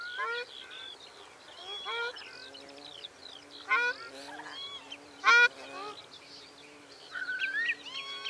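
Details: Several Ruddy shelducks (Tadorna ferruginea) give loud, nasal, goose-like honks in bursts of two or three, calling over one another.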